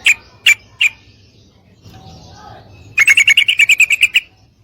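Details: Female sooty-headed bulbul calling a male to mate: three separate sharp chirps, then a fast run of about a dozen clear, evenly spaced notes lasting over a second.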